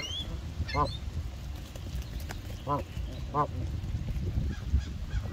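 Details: Canada geese migrating, flying in long V and I formations; three clear nasal honks at irregular gaps, about a second apart, over a strong low rumble of wind and background noise.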